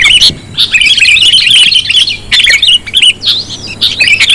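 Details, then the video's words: Sooty-headed bulbul calls played as a lure for attracting the birds: lively, liquid chirps and twittering phrases, some short upslurred whistles, in broken bursts separated by brief gaps. "Suara pikat kutilang sangat sensitif"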